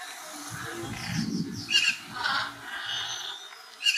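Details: Black-chested jay in Colombia giving a few harsh, squawking bursts about a second apart, over a low rumbling background noise.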